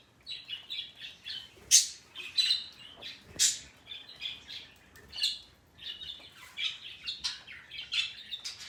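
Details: Indoor pet parrot making a sound it has repeated at length today: a dense chatter of short, high, raspy chirps, with a few louder piercing squawks mixed in.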